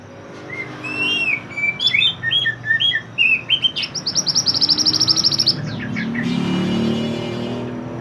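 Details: Lively mantenan bird song, recorded to teach other songbirds: bright slurred whistles repeated about twice a second, then a fast, even rattle of high sharp notes, ending in a soft hiss.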